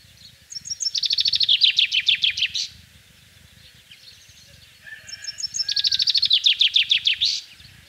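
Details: Two full songs from a common chaffinch in spring countryside of central France, 24 March 2012: each a fast accelerating cascade of chipping notes falling in pitch, finished by a sharp flourish, with a quiet gap between.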